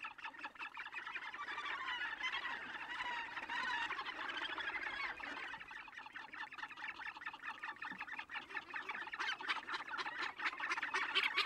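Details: Australasian gannets, Tongariro: dense harsh, grating chorus of many birds calling together, with rapid rasping notes that overlap continuously and swell louder near the end.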